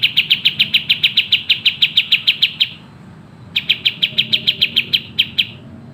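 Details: Sooty-headed bulbul singing vigorously in the fast, tightly packed 'speed rapat' style, used as a tutoring recording. A burst of about seventeen sharp, high chips in quick even succession, a short pause, then another rapid run of a dozen.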